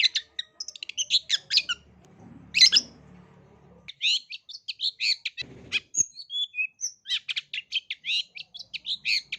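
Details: Long-tailed shrike in full, varied song, intended to trigger singing in young shrikes: rapid chattering runs, a loud harsh burst midway, then clear downslurred whistles and more fast twittering. Faint low noise in places.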